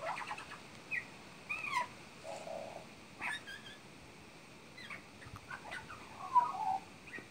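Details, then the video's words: Magpie mimicking horse and parrot sounds: varied squeaks, a short flat nasal tone, sharp clicks and harsh notes, delivered in irregular bursts against faint steady noise. "Magpie mimicking horse and parrot sounds"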